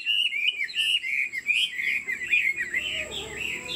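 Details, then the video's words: Kept Chinese Hwamei delivers a continuous flowing song of full, mellow whistles, slurred up and down and run together with scarcely a gap, strong and close. "Họa mi thuần 90%, chơi cánh, hót gật gù múa lân"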